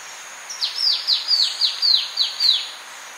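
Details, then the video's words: Orange-breasted honeyeater song: a quick run of about eight thin, high, downward-sliding notes at roughly four per second, over a steady cricket hum, in a recording that also has Polynesian triller calls. "Orange-Breasted Honeyeater. MCU Song."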